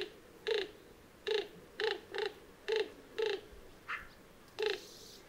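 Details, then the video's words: Greater roadrunner song: a series of low, hollow cooing notes repeated about every half second, seven in a row with a short break, over a steady hiss. "Song of the Greater Roadrunner"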